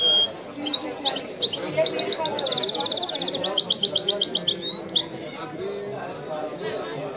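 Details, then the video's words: European goldfinch of the Algerian 'wiidani' singing style, a bird called Messi, in full song: rapid high twittering notes, a fast buzzy trill near the middle, then quick chirps fading out over a low background murmur. "chant de chardonneret تغريد الويداني الأصيل"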